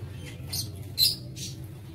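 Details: Brief lovebird squawks in an aviary on 07 April 2023: three short, high, scratchy calls, the middle one loudest, over low background hum.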